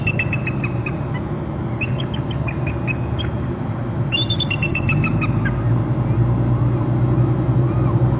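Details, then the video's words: Two bald eagles calling at their nest territory on Hornby Island, picked up by a territory camera: bursts of high, chittering piping notes in quick series, a second bout about four seconds in, over a steady low rumble. "both eagles calling"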